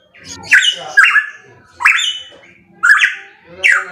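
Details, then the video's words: A pitohui gives five loud, rich whistled notes, some sliding down and some rising, spaced about a second apart, with a faint rustle between them. "Masteran Burung Pitohui MP3 _Suara Kenceng"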